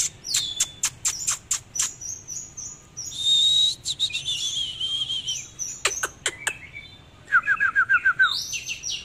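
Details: Oriental magpie-robin singing while displaying: a varied phrase of sharp clicking notes, a sustained wavering whistle, fast rapid chips and a short descending trill of repeated notes, ending in high whistles.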